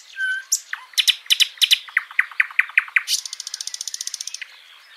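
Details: Washington State backyard bird song: a whistled opening note, then a run of loud, sharp, descending chirps, ending in a rapid buzzy trill that fades out.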